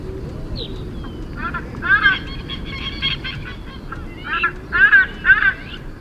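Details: A White-bellied Bustard, a mostly ground-dwelling bird of sub-Saharan Africa, gives harsh, croaking, nasal calls in uneven bursts that grow louder toward the end, over a low rumbling background.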